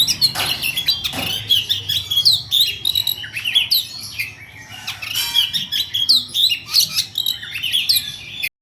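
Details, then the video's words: Fast-rolling 'ngerol' song from a songbird kept by Indonesian bird hobbyists: tightly packed chirps, twitters and short upswept whistles delivered nonstop over several seconds, a couple of brief low thumps near the start. "ngerol speed rapat"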